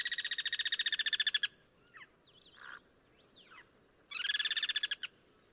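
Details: Guira cuckoos trading songs in the wild, cross-singing: a fast pulsed rattle of harsh, ringing notes lasts over a second, soft chirps and short whistles fill the pause, then another rapid pulsing burst answers.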